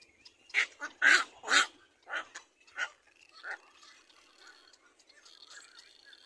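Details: Little black cormorant chick begging while a parent feeds it: harsh, rasping squeals in a quick series of about six bursts, loudest at the start and fading into quieter chatter.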